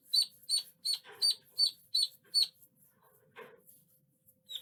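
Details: Duckling uttering loud, high peeps roughly three per second for a couple of seconds, then falling quiet apart from a soft rustling thump and one last peep.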